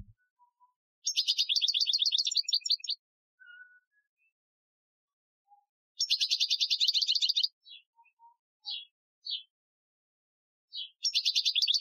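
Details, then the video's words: European goldfinch training song in the Algerian style, recorded in 2015: bright, rapid twittering bursts of tinkling notes lasting one to two seconds, separated by pauses with scattered short chips and thin whistles. "Chardonneret Chant Algerien 2015 , chant de dressage"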